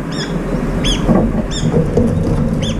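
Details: A brown-eared bulbul among a group feeding and quarrelling at breakfast. Four loud, separate arched squeals sound roughly every half second to second, with low rumbling noise underneath.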